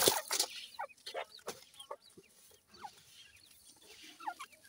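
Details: Being fed, grey francolin chicks give brief rising peeps and soft chirps at an uneven pace, after loud rustling and knocks at the start.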